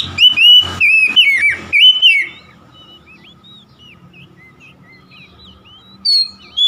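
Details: Oriental magpie-robin song: a fast burst of loud, sweet whistled phrases with swooping notes for two seconds, then a long stretch of soft, varied twittering, then two more loud whistles.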